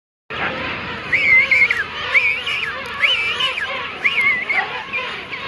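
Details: King penguins in a breeding colony at Gold Harbour, South Georgia. Several loud trumpeting calls overlap, each a wavering, warbling phrase of about half a second rising and falling in pitch, over a constant dense murmur of many other birds.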